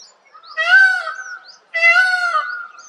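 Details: Peafowl in a forest giving two loud, nasal, strongly harmonic wailing calls about a second apart, each held briefly with a slight rise and fall; faint high chirps of small birds in the background.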